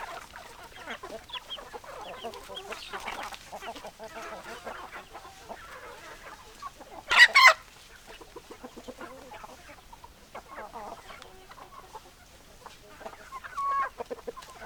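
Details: Hens and roosters clucking: scattered soft clucks and chattering notes from several chickens, broken by one loud, brief harsh squawk midway, then further clucks and a louder call burst near the end.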